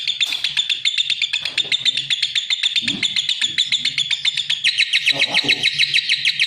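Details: Continuous fast lovebird chatter, sharp high chirps strung into a long trill that grows louder near the end, over faint low background hum and occasional muffled sounds.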